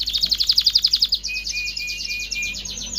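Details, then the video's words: Canary song for stimulating mating: a quick high trill of repeated notes followed by a smoother, rolling buzzy trill with a faint thin whistle beneath, over a low background hum. "تغريد كناري لتدريب ذكور واناث الكناري على التزاوج. صوت كناري لتزوج .. Canary singing"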